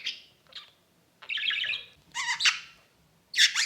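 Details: Budgerigar, an exhibition bird indoors, giving harsh squawky chirps in short bursts with silent gaps, the later ones louder and broader, ending in a sharp high screech.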